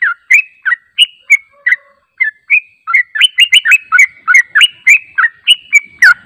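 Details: Bulbul lure song of the yellow-vented bulbul, intended to prompt a response: scattered whistled chirps that quicken into a fast, bubbling sequence of upslurred and downslurred notes toward the end.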